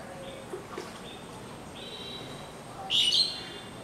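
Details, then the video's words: An Asian pied starling gives a few thin, level whistles, then a loud, harsh, grating burst near the end, with a light background hiss throughout. "Calling of Asian Pied Sterling || গো শালিক পাখির ডাক"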